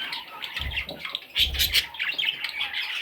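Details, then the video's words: Raspy squawks and chirps from parrot chicks, coming in clustered bursts about every half second, over soft low bumps. "Parrot Chicks"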